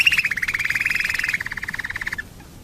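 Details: Domestic canary song used as a lure to get other canaries singing: a rapid rattling trill of repeated notes, steady and slightly falling, ending abruptly.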